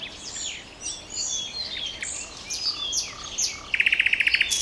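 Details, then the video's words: Common nightingale singing: a run of varied high whistles and slurred notes, then a fast, even trill of repeated pulses near the end, with other birds chirping in the background. "Трели соловья"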